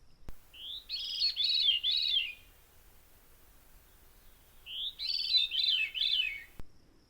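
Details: Veery, a thrush, singing in June, caught by a timer-run recorder; birds sing to claim territory. Two breezy, fluty phrases, each a soft lead-in note followed by a spiralling downward cascade of ringing notes, with a long pause between.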